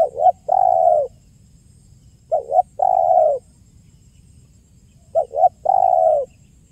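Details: Spotted dove singing the 'kuk 1' coo in a clear, lively way, used as a trapping lure. The low phrase is two quick short coos and then a longer held coo, repeated three times about every two and a half seconds over a soft background hum.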